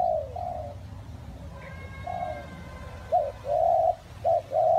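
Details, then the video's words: Spotted dove in rainy, windy weather, a few quiet coos then a louder run of short and drawn-out hollow notes; a thin, level whistle from another bird sounds briefly in between, over low noise. "nghe cu gáy gù cả ngày"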